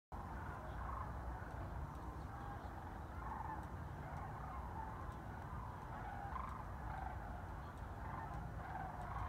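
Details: A flock of migrating sandhill cranes passes over Chicago's North Shore on December 7, 2016, giving rolling, trumpeting calls that overlap again and again, over a steady low rumble of traffic.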